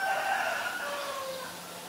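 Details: Black-collared starling in Ubon Ratchathani, Thailand, 17 April 2022, giving a brief clear whistled call with a harmonic, reedy tone. The note fades quickly into soft outdoor background hiss.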